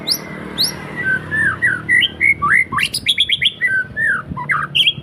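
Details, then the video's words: House-kept white-rumped shama in full, lively song: a rapid run of varied clear whistled notes, rising and falling slurs and sharp high chips packed closely together, with faint low background hum. "Murai rumahan gacor"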